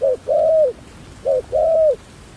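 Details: Two clear coo phrases from a decoy dove luring wild doves, each a short note leading into a long, gently arched, mellow coo, about one and a half seconds apart.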